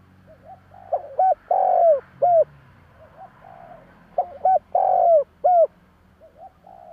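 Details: Spotted dove cooing, a recording used to make other doves coo back: two phrases of short soft notes rising to a loud, drawn-out clipped coo, the phrase repeated after about three seconds; low hum underneath.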